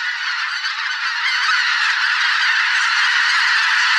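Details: Mixed flock of migrating geese (greater white-fronted, bean, barnacle, pink-footed), thousands of birds in a spring swamp, honking loudly and continuously in a steady, overlapping wall of nasal calls.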